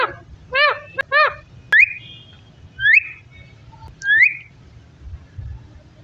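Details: Pet parrot talking: three quick harmonic chattering syllables, then three short rising whistled notes spaced about a second apart, over a faint low hum.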